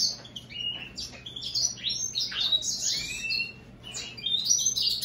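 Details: Hybrid of American goldfinch and European greenfinch singing a fast, jumbled twitter of high sweet chirps, buzzy trills and rising and falling slurred notes. The notes come in quick bursts with short pauses, over a faint low hum.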